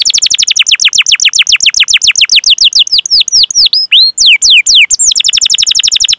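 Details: Lure song of a lively canary, long 'cuit cuit' rolling song meant to stir young, untrained or silent canaries: a quick trill of falling high notes, then slower swooping whistles, then the fast trill returns.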